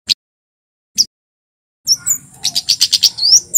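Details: Javan kemade male, known in English as white-bellied sunbird, singing loudly as training audio for birds: two isolated sharp chirps, then a quick rattling series of high clipped notes closing with a rising whistle.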